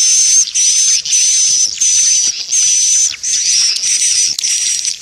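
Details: Swiftlets' lure call: regular rasping, high buzzy bursts with a faint whistled line, about half a second each with brief pauses, repeating steadily.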